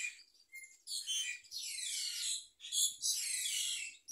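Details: Myna parent delivering a large blue caterpillar into its baby's mouth; the chick gives harsh, grating squawks and long raspy hisses, rising in intensity, with brief pauses between outbursts.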